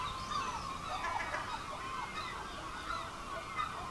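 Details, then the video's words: Herring gulls calling on the roofs of Clacton-on-Sea, Essex, England, in July 2015: overlapping harsh, nasal mewing calls with layered harmonics, several birds at once over a steady background hum. "Ezüstsirály / Herring Gull / Larus argentatus"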